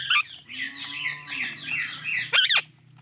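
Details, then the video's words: Indian ringneck parrot making a continuous run of scratchy, buzzy chirps ending in a loud sharp squawk, with a faint low tone underneath. "Indian Ringneck Parrot Chirping Sounds"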